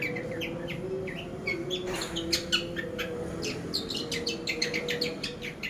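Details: Pastol-style long-tailed shrike training lure: irregular high chirps and squeaky rising notes building into a busier chatter near the end, over a constant humming background.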